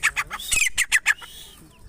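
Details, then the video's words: Grey francolin female, called teetar, calling as a trapping lure: a rapid run of about six loud, harsh, rasping notes within just over a second, then fading into quieter background bird twitter. "female greyfrancolin teetar bird ... teetar ki awaaz"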